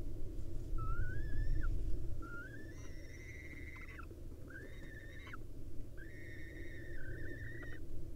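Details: Barn owl on a live Israeli nest cam, the male leaving his day roost to mate with his female; four long, tonal whistled notes rising at the start and ending abruptly, roughly every one and a half seconds, above constant low hum.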